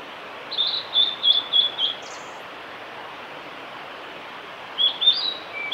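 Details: Blue-and-white flycatcher male in song on the Kanazawa forest road by Lake Miyagase, Japan, 5 May 2018. A phrase of six bright, high whistles, a silent gap, then a second short whistled phrase, all over constant background hiss.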